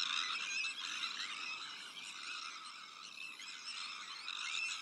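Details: Breeding colony of Sandwich terns among black-headed gulls, Arctic terns and common terns; a thick chorus of grating, screeching calls from numerous birds, with a few thin whistled notes above.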